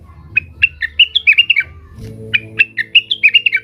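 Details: Agitated Blue-winged leafbird (cucak wilis) calling to challenge rivals, giving two bursts of varied sharp chirps and slurred whistles, each about one and a half seconds long, with faint background hum.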